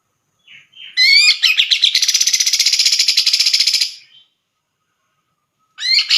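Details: Tutor song of a Grey-cheeked bulbul, a contest bird valued for its loud, varied voice: a rising opening then a long, rapid, buzzy rattle of even repeated notes lasting nearly three seconds, another phrase starting after silence.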